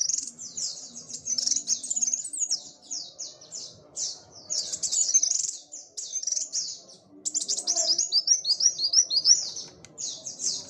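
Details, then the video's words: Kolibri wulung sunbird in full, lively song while hopping and dancing: fast streams of high, sharply falling twittery notes, about three per second, in long bursts broken by brief pauses; faint low murmur behind. "BURUNG KOLIBRI WULUNG GACOR MENARI-NARI"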